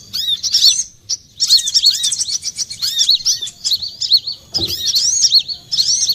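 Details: Olive-backed sunbird, known locally as kolibri kelapa, in a lure recording used for trapping: rapid high, thin twittering notes in dense bursts, some arching up and down, broken by brief pauses, with a soft thud near the end.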